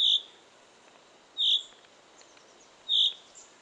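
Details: In a pine forest, a small bird gives a short, high, clear note about every one and a half seconds, with faint chirps from other birds in between.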